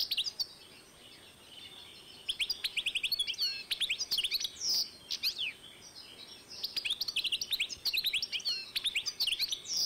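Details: Singing European goldfinch x canary hybrid recorded in 2012, pouring out dense rapid twitters and clipped high chirps in long runs, with a short buzz in the middle and brief pauses.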